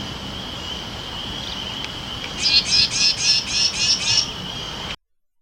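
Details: A Carolina Wren in Virginia or the Carolinas gives its angry "rack" scold, a get-away-from-my-nest call: about eight harsh, rasping notes, roughly four a second, over a steady high insect drone.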